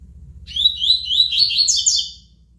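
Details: Double-collared seedeater (coleiro) singing the tui tui song style: a fast run of high whistled, slurred notes rising into a denser, buzzier burst near the end, with a low steady hum underneath.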